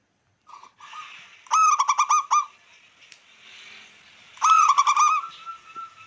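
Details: Wild-type local zebra dove cooing to excite rival birds and raise breeding drive: a few soft introductory notes, then two rapid bursts of pulsing, resonant coos about three seconds apart over faint background hiss.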